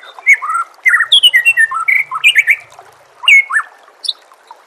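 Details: Loud, rich white-rumped shama song meant for training other birds, recorded with nature sounds and water. Rapid varied whistles swoop up and down in a dense phrase, then come a pause and a few final notes.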